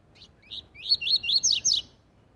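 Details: Double-collared seedeater singing the tui tui zel zel song style, used for training young birds: two short soft chirps, then a quick run of five bright, slurred whistled notes that sweep up and down. The background is quiet.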